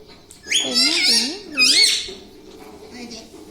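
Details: Pet parrot imitating speech at home: two loud shrill squeaky phrases with rising and falling contours, while a human voice talks quietly beneath, then fades.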